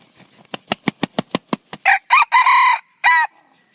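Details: Red junglefowl crow: about eight quick, regular thumping beats, then a harsh, harmonic crow of several syllables. The crow has a long drawn-out middle note and a short separate final note, with quiet afterwards.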